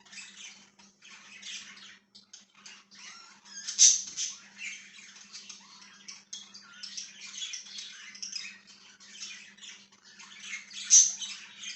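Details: Parakeet chirping: long stretches of busy, gravelly chatter and twittering, punctuated by two loud, shrill squeaks several seconds apart, with a steady low hum in the background.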